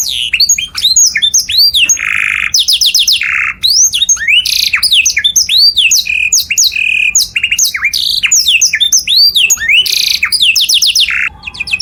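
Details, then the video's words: Loud canary song for other birds to learn from: looping whistled arcs alternate with buzzy bursts and short rapid trills in a lively, continuous stream. "O SOM DO CANÁRIO SOM ALTO DE OUTRO PÁSSARO PARA IMITAR"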